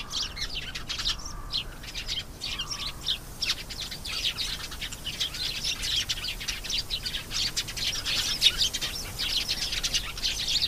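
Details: Canary pouring out a continuous, rapid, high trilling song with rolling buzzy phrases and sharp chirps, loud and nearly unbroken throughout.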